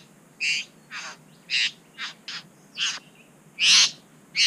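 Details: Satin bowerbird at a bower in NSW, Australia, recorded by a GoPro while the male tidied the bower and pecked the camera. Short, wheezy, rasping notes, each under a quarter second, are repeated with gaps of about half a second.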